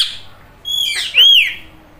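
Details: Green Indian ringneck parrot talking and imitating a cat's meow; a whistled, rising-then-falling meow-like note after a brief harsh squawk, in a quiet room with a woman speaking nearby.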